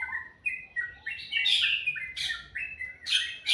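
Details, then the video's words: Melodious morning birdsong: short clear whistled notes alternating with loud, harsh rasping bursts, repeated roughly every three quarters of a second. "Suara burung dipagi hari sangat merdu"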